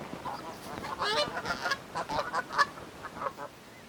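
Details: Forest-dwelling Canada geese fighting over territory, giving a rapid series of harsh, overlapping honks that rise and fall in loudness.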